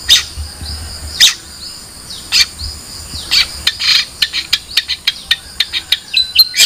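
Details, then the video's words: Long-tailed shrike giving scattered high chirps, then a quickening run of short sharp notes, set against a continuous high insect-like buzz. "Suara Burung Cendet"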